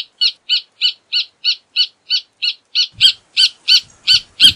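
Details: Rufous hornero song: a steady series of sharp, loud piping notes, about three per second, growing louder and slightly faster toward the end, with faint low thumps near the close.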